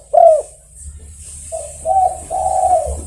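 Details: A spotted dove calling fellow birds opens with a single strong, bending coo, pauses, then delivers a softer short coo and two longer sustained coos over low rumbling noise.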